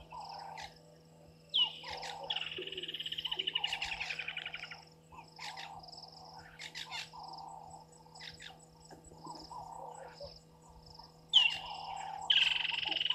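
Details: At a waterhole on Djuma Game Reserve, Sabi Sand Wildtuin, South Africa, on the evening of 1 December 2023, a water thick-knee gives a rapid, swelling run of piping notes lasting about two seconds, with croaking frogs and shrill insects behind.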